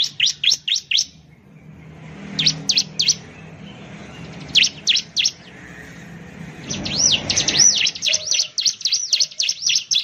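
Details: Bar-winged prinia, the ciblek of Indonesia, a loud songbird of plantations, rice fields and villages: bursts of fast high chirps in short groups, then a long run of looping whistled notes, over a low rumbling background.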